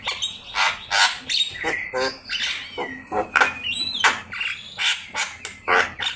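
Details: Energetic Javan myna song, used as a master recording for training songbirds: harsh grating squawks alternate with clear slurred whistles and rattling notes in rapid, uneven phrases.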